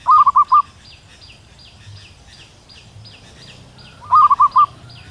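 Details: Wild local female zebra dove calling to attract a male, repeating a phrase of four quick rolling coos twice, about four seconds apart, over a regular high chirping from another creature and low ambient rumble.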